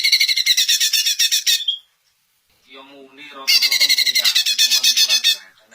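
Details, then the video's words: {'caption': "Two fierce bursts of rapid, grating, repeated notes from a greater green leafbird, sung to provoke an answer from other leafbirds, with a man's voice murmuring in the gap between them."} "Cucak Ijo Anda PASTI AKAN NYAUT dengar Suara KICAUAN MERDU TERBAIKNYA INI"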